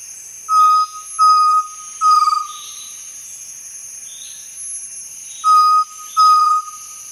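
Chestnut-necklaced partridge giving clear, level whistled notes, three then two after a pause, over a steady high insect hum.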